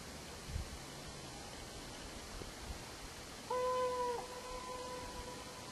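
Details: Trumpeter Swan (Cygnus buccinator) on the Slocan River, British Columbia, gives one flat, horn-like honk under a second long, then a fainter echoing note, over steady rushing background noise.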